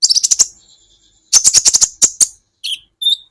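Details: Olive-backed sunbird on a songbird training recording, opening with a fast rattling series of high chips and a thin fading whistle. After a pause comes another rapid chip series, then two short isolated high twitters.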